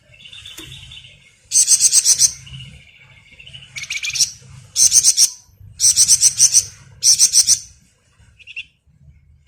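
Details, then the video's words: Vigorous ngebren song of a Malaysian pied fantail, used as a master recording for songbirds: rapid high-pitched bursts of five to seven sharp notes repeated every second or so, with thin whistles between and a soft closing chip. "Burung Flamboyan Gacor Ngebren mantap buat Masteran"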